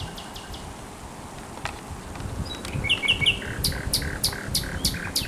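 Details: On the Żerań Canal on 24 April 2022, a thrush nightingale gives three clear repeated whistled notes, then a loud series of sharp clicking chocks at a steady beat, with distant hum behind.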